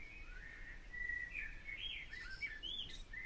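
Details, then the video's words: Barn swallow twittering: drawn-out whistled slurs and warbling chirps, with a scratchy burst near the end, over low background noise. "O canto da ANDORINHA-DAS-CHAMINÉS/BARN SWALLOW SONG (Hirundo rustica)"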